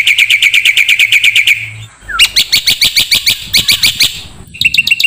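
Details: Used to train songbirds, this black-winged starling song runs as a quick, even chirping series, breaks off briefly, then returns as a denser, harsher chatter of high notes.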